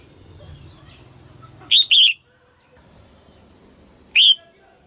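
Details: Female red-whiskered bulbul singing early in the 2022 season to stimulate males: a double slurred whistle, then after two seconds a single loud whistled note, over a soft low rumble.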